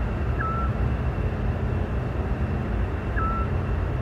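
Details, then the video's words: A Eurasian scops owl sings at dusk in May in the Parque Lineal del Manzanares, giving two short, soft whistled 'tyoo' notes about three seconds apart over a steady low rumble like distant traffic. "Autillo cantando al anochecer."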